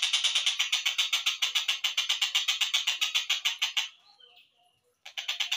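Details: Collared kingfisher used as a training track for songbirds, slowed down: a long string of coarse, buzzy notes in rapid succession, a brief pause with a faint note, then the harsh series resumes.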